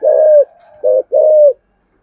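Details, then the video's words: A single loud spotted dove phrase in the 'giọng thổ sấm' style: a long steady coo, a short note and another long slightly falling coo. "cu gáy giọng thổ sấm bài bản đủ bài hay gáy gọi hai hậu"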